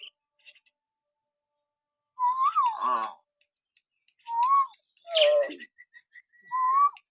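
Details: Common hill myna natural whistling, used as a training sound to provoke pet mynas to sing: clear whistled notes that rise and fall, alternating with harsh, buzzy, broadband calls in irregular bursts.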